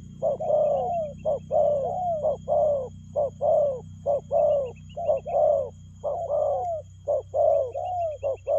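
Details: A long, fast run of spotted dove cooing in the 'lèo gù' style. Short and long coos alternate almost without pause, roughly one per second, while faint high twittering of a small bird comes and goes.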